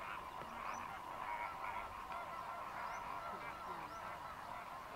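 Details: Continuous goose-like honking from a large Greater flamingo flock feeding in Mannar Island lagoons in Sri Lanka during the December–March dry season, many overlapping nasal voices merging into a steady din.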